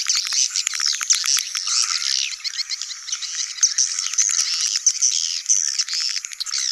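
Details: Swiftlet colony sound, sedot anakan type, played for new swiftlet houses: continuous busy chattering and twittering from many birds, with fast clicking bursts throughout.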